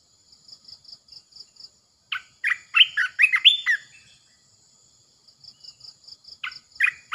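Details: Decoy red-eyed bulbul in a cage sings a loud, bubbling phrase of chattering, slurred notes, then a few shorter notes near the end, over evenly pulsed insect chirping.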